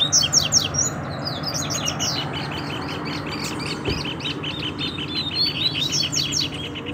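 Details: Double-collared seedeater singing in the wild, in scrub where a calling chick appeared; rapid repeated chirps in a steady rattling series over a constant low hum.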